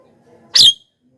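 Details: One harsh, shrill Javan myna squawk, brief and scratchy, from a recording intended to call wild mynas closer.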